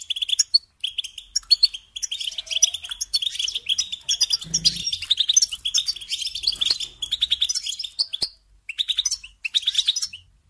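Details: Rapid, liquid twitter from a European goldfinch: dense runs of high chirps and jingling notes that flow almost without break, with a short silence near the end before the song resumes.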